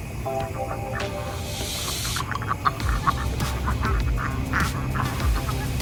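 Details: A drake gives short, scratchy quacks about twice a second as the pet duck flock is herded into the barn in the evening; male ducks call to alert the flock. Background music and a person's voice are heard.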